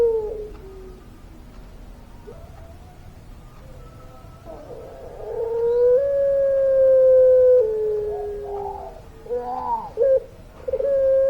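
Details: Puter pelung dove singing its long voice: faint low notes at first, then a loud, sustained level coo held for about two seconds, followed by short gurgling bursts and a final steady tone.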